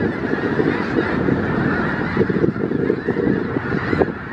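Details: Snow geese in a winter congregation of around 5000 birds in south Grayson County, Texas, February 2018: a dense, continuous roar of overlapping nasal honks, many birds calling at once with no gaps.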